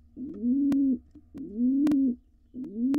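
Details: In a nest box used by wild pigeons, a male courts his mate while nestlings prepare to fledge; three low, mellow coos, each rising and then flattening, with crisp clicks from movement inside the box.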